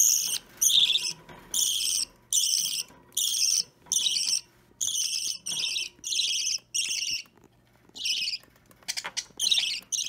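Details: Hand-fed budgerigar chick, roughly three weeks old, opaline or plain green, fidgety at feeding time; harsh, raspy chirps repeated rapidly, more than one per second, in steady bursts with brief gaps, recorded indoors on 30 March 2017.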